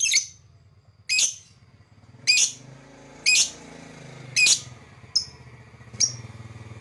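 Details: Lovebird calling for bird whistle training: loud, harsh high chirps about once a second, the last few shorter and thinner, with a low rumbling hum underneath.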